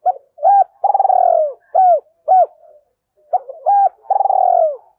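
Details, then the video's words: Spotted dove cooing, a recording used as a lure call to provoke wild doves, in Vietnam: loud, clear repeated coos with short hooked notes and longer rolling, falling phrases, in two matching bursts separated by a brief pause. "tiếng chim cu gáy kích bổi hiệu quả"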